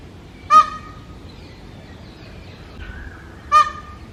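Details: Male Indian peafowl in mating season, holding a territory on a house rooftop and calling loudly to attract females. Two short, brassy, strongly harmonic wails, about three seconds apart, over quiet background.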